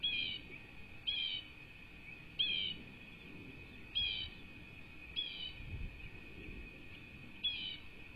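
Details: Two chicks at a rebuilt bald eagle nest on a Southwest Florida cattle ranch, USA, 5-2-24; high, thin chirps repeat roughly every second or so, seven calls in all, each slurring downward, with a constant tonal hum and faint low rumbling beneath.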